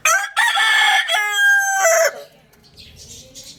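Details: Rooster crowing loudly: one long, harmonic, strained crow of about two seconds, holding a level pitch before dropping at the end, followed by quiet background.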